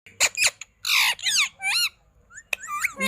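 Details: An indoor parrot gives a string of shrill, squeaky squawks and whistles. The notes sweep up and down in quick bursts, with short pauses between them.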